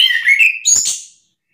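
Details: Orange-headed thrush, agitated and answering another bird's song: loud whistled, warbling phrase of rising and falling notes, then a brief burst of very high thin notes fading away.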